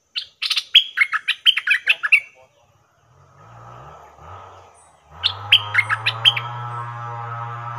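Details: Caged Stripe-throated Bulbul used as a decoy to lure wild birds for capture, giving bursts of bright, bubbling notes in quick runs, pausing, then resuming over a steady low engine-like hum.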